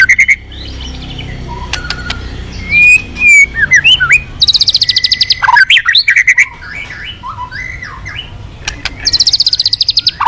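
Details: White-rumped shama singing briskly to prompt other birds: scattered clear whistles and slurred phrases broken by bursts of rapid high buzzy trills, with soft low background noise.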